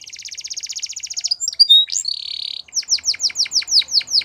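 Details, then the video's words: A canary's rapid, steady trill gives way to sharp slurred notes and a short buzz, followed by a series of ringing downward-swooping notes repeated quickly. "Canaries Singing"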